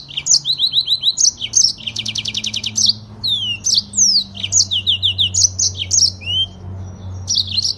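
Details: Yellow-fronted canary, known locally as Mozambique canary, an imported canary originating from Africa, singing a long rolling fast song: rapid trilled series, whistled slurs and chattering phrases packed tightly without pause, with low hum in the background.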